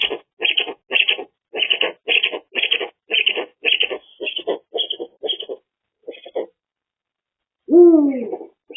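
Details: A breeding Eurasian eagle-owl pair at a rescue centre in midwinter, calling more as the sun sets before nightly mating, two weeks after hatching: a steady run of about fifteen harsh, clipped calls, roughly three a second, then a drawn-out, falling wail.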